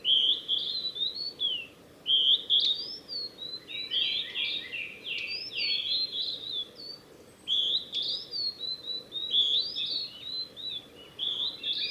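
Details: A male Blue-and-white flycatcher sings on the Mizusawa forest road, Tanzawa, Japan, on 8 June 2020: clear, sweet, varied, slurred whistled phrases, some ending in buzzy notes, with short pauses between them over a soft hiss.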